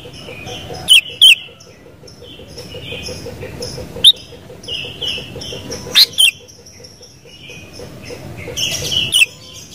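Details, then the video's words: Sooty-headed bulbul giving brief, bright whistled bursts at irregular intervals, set against continuous faint twittering from other small birds and a low background rumble. "Suara Burung KUTILANG"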